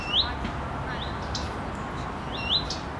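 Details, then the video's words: Female common redstart perched on a branch swaying in the wind, wagging her tail, giving her characteristic call: three clear rising whistled notes about a second apart, over a steady low background hiss. "Крик горихвостки на ветке дерева"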